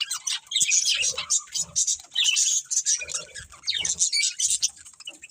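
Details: Budgerigars of a breeding pair chirp in short, choppy bursts, sharp high tweets and scratchy squeaks repeating in quick clusters with tiny pauses between.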